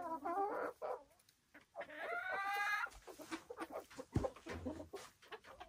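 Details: Silkie chickens on a Vermont hill homestead give soft, nasal clucks and a drawn-out, wavering squawk, with quick murmuring calls in between and some low knocking sounds.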